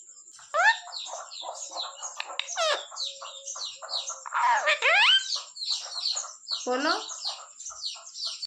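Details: Pet parrot mimicking speech and calling mummy while asking for roti: a dense run of choppy, harmonic, voice-like syllables with some sweeping squawks. A faint human voice also says mommy, and a steady high-pitched hum runs underneath.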